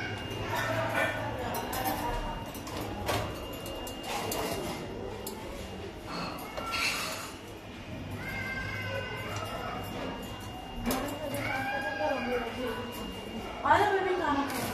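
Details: A pet talking ring-necked parakeet mimics speech in short phrases with nasal, wavering vowels and rising-falling inflections, over a steady hum, a thin high tone and clatter.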